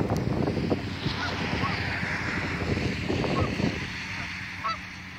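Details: Geese on a church roof trading brief nasal honks at irregular intervals, partly buried under constant low rumble and wind-like hiss.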